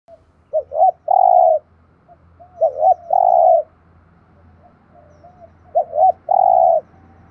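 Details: Spotted dove calling, a bird kept to train decoys to answer: three phrases of quick double notes leading into a long, loud, even coo, repeated about every two and a half seconds, faint low hum underneath.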